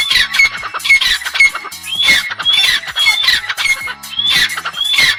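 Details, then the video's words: Francolin, locally called teetar, whose calls serve social interaction and mating: loud, harsh, rhythmic phrases with high whistled notes, repeated about once a second in a steady pattern, with faint low tones underneath. "Join us as we listen to the melodious calls of partridges"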